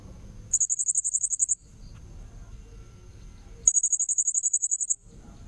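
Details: Blue-crowned hanging parrot lure call: two fast trills of very high, thin notes, each a little over a second, separated by a two-second pause with faint low noise.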